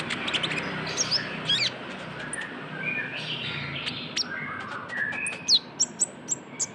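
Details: Trotol-style brown-throated sunbird (kolibri ninja) used as a lure sound: quick, high ticks, then short, slurred whistles and scattered sharp chirps.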